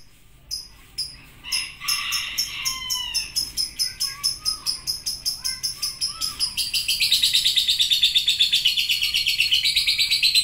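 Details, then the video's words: Lovebird song that starts with ticking 'ngetik' clicks, spaced at first then quickening, with a few whistled slurs, before breaking into a long, fast, continuous high chattering ngekek trill. "LOVEBIRD NGETIK LANJUT NGEKEK PANJANG"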